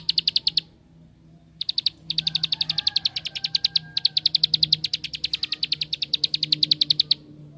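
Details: Bar-winged prinia delivering a 'tembakan' (shooting) song meant to provoke rival prinias: a brief burst, a one-second gap, then a long, steady train of piercing high chips over a low background hum.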